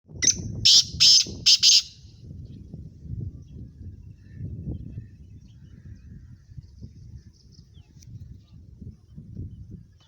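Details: Black francolin, a Sindhi bird, giving its call: three or four loud, harsh, grating bursts packed into the first two seconds, followed by quiet low rumbling background noise.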